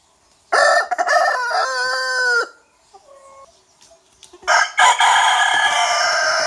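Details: Young rooster crowing: a loud strained cock-a-doodle-doo lasting about two seconds and falling at the end, a short pause with faint clucks, then another loud crow starting.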